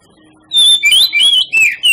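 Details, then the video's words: Kacer, the Oriental magpie-robin, in a lure song to provoke other kacer. After half a second of near silence, very loud, piercing whistled phrases follow in quick bursts, sliding up and down in pitch. "PANCINGAN KACER PALING AMPUH MERANGSANG KACER LAIN AGAR LANGSUNG BONGKAR ISIAN"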